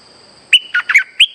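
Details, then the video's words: Streak-eared bulbul lure call used for trapping: after a pause, a short bright phrase of four clear whistled notes, rich and slightly warbled, each about a tenth of a second, over near silence. "Suara pikat merbah lekir gacor"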